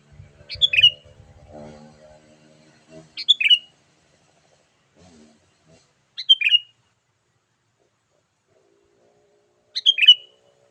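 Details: Energetic 'gacor' sooty-headed bulbul call, used to lure wild bulbuls: four short chattering phrases about three seconds apart, with low rumbling and brief murmuring sounds under the first phrases.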